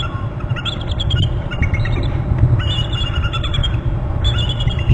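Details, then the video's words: Two wild bald eagles calling together at their nest territory on Hornby Island, one hopping up from a left branch beside the other: high thin chittering series, bursts repeated several times, under heavy low wind rumble. "eagle on left branch hops up with other eagle both are calling"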